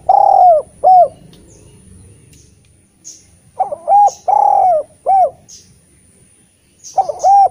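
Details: Eurasian collared dove cooing repeatedly as a lure for lazy-singing spotted doves. Phrases of short and long mellow arched coos recur every few seconds, with faint high chirps between them.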